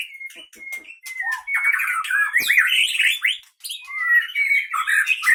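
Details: Caged white-rumped shama of the Leuser Pining line from Gayo Lues, Aceh, Indonesia, fighting in its cage: clear whistled notes repeated, then a rush of sharp, rapid, varied phrases with buzzy trills and rising whistles.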